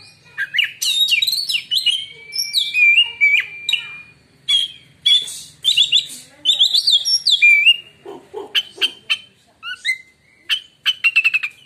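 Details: White-rumped shama song claimed to silence other shamas: a long, varied outpouring of fluty whistles, mimicked-sounding chatter and sustained tones, then rapid clicking runs and short whistles.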